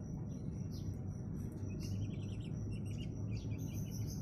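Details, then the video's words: Sooty-headed bulbul after being bathed with a spray: soft, quick chirping phrases of short notes that rise and fall, partly masked by a loud, steady, low rumbling background noise. "kutilang habis mandi"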